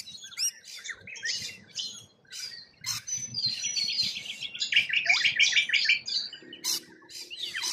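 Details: Wild rainbow lorikeets from Australia make shrill screeches, then a long rasping, pulsed chatter in the middle, ending with scattered sharp squawks.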